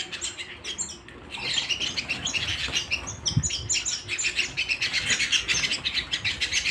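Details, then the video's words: Canary singing indoors at home: quiet start, then rich high trills and fast sweeping chirps rolling on continuously, with one soft low knock partway through. "canary singing at home"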